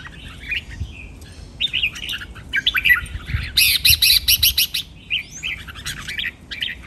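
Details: Red-whiskered bulbul (Pycnonotus jocosus), song.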